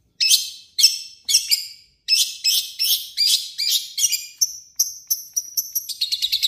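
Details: Long-tailed shrike voicing its own song plus imitations of other birds: loud, buzzy, downslurred chirps spaced about half a second apart, speeding into quicker, thinner whistled notes and short trills.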